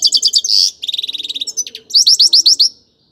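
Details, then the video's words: A grey-crowned goldfinch sings quick repeated chirps, a buzzy note, a rapid stuttering trill, and then a series of rising, tinkling twitters before stopping. "Пение щегла | пение седоголового щегла. Красивое пение !"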